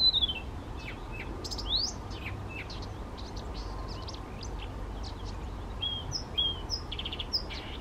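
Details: Spontaneously singing male Blyth's reed warbler at Bukovský pond near Těchařovice, Czech Republic, 19 June 2014: a varied string of clicks, sharp upward-sweeping notes and thin whistles, with clear descending whistles near the end, over low rumbling noise.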